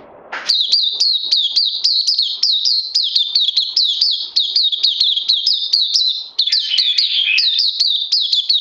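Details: Caged oriental white-eye on 31 May 2020, day two of supplements, bursting into a long, fast, high-pitched series of sharp chirps, with a brief lower twittering flourish near the end.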